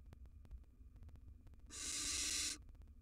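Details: In a monitored nest box, wild baby barn owls, three in all, produce a single rasping, steam-like hiss under a second long after a quiet stretch of low background hum.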